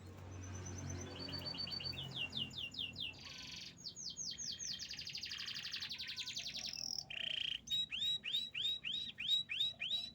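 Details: Canary singing a varied song: series of fast repeated whistled sweeps, a buzzy rolling section, a brief harsh burst, then a steady run of rising chirped notes about five per second, over faint low background hum.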